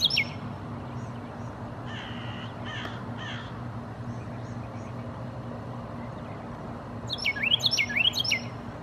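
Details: A Carolina wren singing in a tree gives a quick burst of loud, rolling whistled phrases near the end; harsh caw-like calls sound midway over a steady low background rumble.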